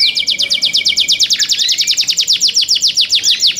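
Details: Song of young captive canaries: a rapid, rattling series of sharp high chips, with a steady thin whistle underneath at first and some rising slurred notes mixed in mid-phrase.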